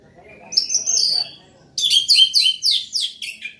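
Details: Loud singing from an Orange-headed thrush: a drawn-out high whistled phrase, a brief pause, then a quick burst of sharp, descending chirped notes repeated several times.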